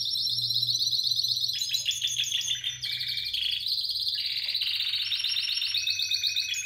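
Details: A Spanish Timbrado canary from 2017 pours out continuous rolling trills, stepping between pitches with buzzy, rattling passages and a dense metallic tour at the end, over a faint low hum.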